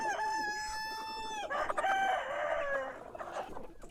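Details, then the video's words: Rooster crowing in the morning: a long, loud, harmonic crow held level for over a second then dropping off, followed by a second overlapping crow with a wavering tail. "Sonido de gallo por la mañana // Cock crowing in the morning"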